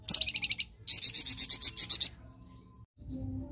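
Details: Flamboyan ngerok-style song recorded as a master for other birds: a short descending rattle followed by a longer string of strong, evenly spaced pulsed notes, then quiet.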